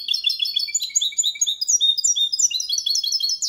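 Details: Goldfinch × canary hybrid singing clean Malaga-style song for training other goldfinches and hybrids: fast, high, tinkling twittered notes in continuous rapid succession with fluid trills, no background sound.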